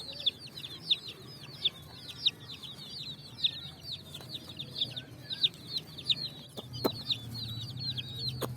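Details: Colourful chicks running and jumping on sand in the evening while finding food, a flock chirping continuously with high, quick downward-slurred peeps, overlapping in steady streams, with a couple of sharp knocks near the end.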